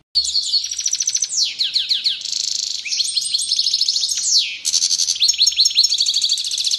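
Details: Goldfinch in excited training song, a continuous stream of high, liquid twitters, rapid descending slurs and buzzy trills, broken only by a brief dip before a new burst of ringing, chattering notes.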